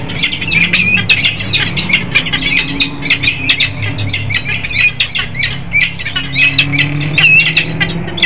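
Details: Male and female peregrine falcon pair in Harrisburg, Pennsylvania, on 10 December 2020, giving a dense stream of grating, scratchy calls that overlap and run together, over a steady low rumbling background.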